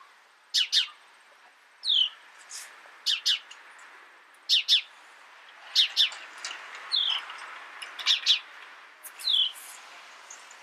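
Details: House sparrow chirping in a busy run of bright paired notes and a few downslurred single calls, roughly one burst each second or so, over a quiet background.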